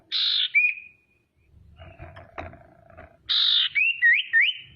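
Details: Female common iora (sirtu) used as a lure to provoke other ioras; a harsh buzzy burst slides into a thin level whistle, then after a pause another buzz followed by three quick rising whistled notes, with low background rumble between.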